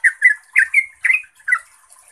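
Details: Trucuk, the yellow-vented bulbul, giving a few bubbly chattering phrases from a fast ropel song meant to draw replies from other bulbuls; four or five rich warbled notes, some sliding upward.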